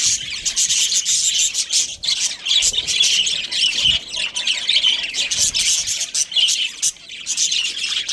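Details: A breeding pair of budgies keeps up rapid scratchy chatter and squawky chirps, high and continuous, with brief dips in loudness every second or two.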